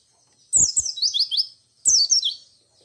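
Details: White-eye giving its ngalas, ngerol and nembak style song, said to make other white-eyes answer; two bursts of high, rapid, descending twittered notes about a second apart, with soft clicks at each onset.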